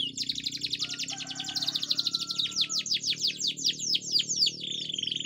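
A canary sings a fast, unbroken song of high rolling trills and quick downward-slurred notes, with a faint lower whistle beneath.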